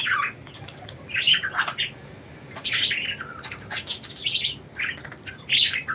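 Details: Free-flying budgies chirp busily: clusters of high, squeaky, warbling notes come in loud bursts separated by brief pauses, with several birds seemingly calling over one another.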